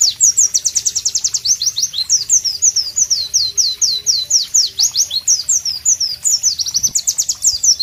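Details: Loud melodious White-eye (Pleci) masteran song: continuous high-pitched chirps and slurred whistles, several notes per second, with sharp trilled bursts and faint background ambience.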